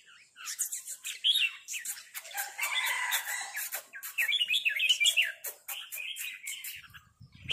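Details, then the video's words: Red-whiskered bulbuls giving rapid 'rik' calls at each other as a resident bird challenges a newcomer. The notes are bright, chattering and warbled, with a burst of harsher, broadband notes near the middle. "นกกรงหัวจุกร้องริกตอบโต้กันมันๆ โดนนกเจ้าถิ่นรับน้องจัดหนัก"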